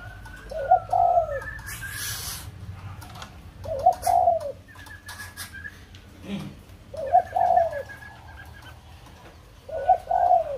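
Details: White-crested laughingthrush from Kbang, Vietnam, repeating short, mellow, whistled, slurred phrases about every three seconds, with fainter higher whistles between them and a steady low hum throughout.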